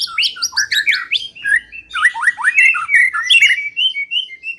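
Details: White-rumped shama song for luring birds into song: quick high chips at the start, then a string of slurred whistled notes falling into steady spaced whistles.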